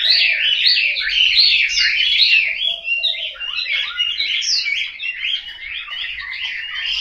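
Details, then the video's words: Captive Chinese hwamei in Hanoi, Vietnam, giving a strong outpouring of whistled, sweeping notes; a short lull near the middle, then more varied, slightly softer phrases. "Họa mi"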